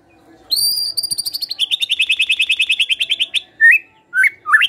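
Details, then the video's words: White-rumped shama singing in full voice: a high, clear, drawn-out whistle, then a long run of about twenty quick, evenly spaced trilled notes, ending in a few short rising whistles. "MURAI BATU GACOR"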